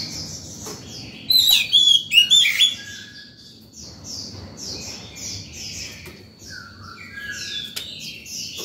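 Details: Oriental magpie-robin in top form singing in the morning, used to lure wild birds and tutor young birds: a loud burst of rich, varied whistles, then softer sweet phrases and chirps repeated every second or so.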